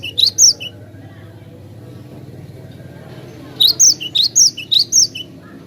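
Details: Loud, clear glatik batu (cinereous tit) song used as a tutor recording for other cage birds: a short high burst, a lull, then a run of about six bright, sharp repeated notes.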